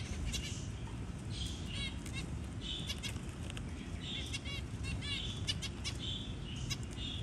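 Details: Newly hatched zebra finch chick being fed by a parent; quick series of thin high chirps and buzzy trills repeated in clusters, with soft wing flutters and a constant low background hum.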